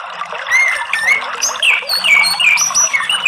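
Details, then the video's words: An Orange-headed thrush sings a rich, varied run of clear whistles and slurred notes that rise and fall quickly, with scratchy chatter in between. "ANIS MERAH tapi gak mau Bunyi Ngeplong"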